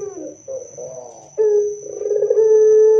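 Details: Barbary dove singing loudly, a song meant to prompt other doves to sing. Soft wavering coos lead to a sharp-onset, long, level hoot, then a rolling burst that settles into another sustained mellow note.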